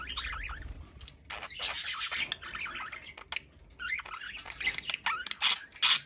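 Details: Two pet budgerigars chattering to each other indoors: dense warbling, scratchy twitters and clicks in continuous bursts, with short pauses between runs.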